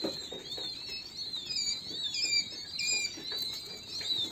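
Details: King quail chicks producing a continuous mesh of high, thin peeps and short descending whistles, with light tapping and rustling underneath.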